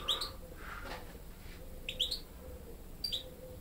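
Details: Young European goldfinch hybrids learning song from a goldfinch tutor, not only their father; short bright chirped notes in pairs, repeated about once a second, with a faint steady tone behind.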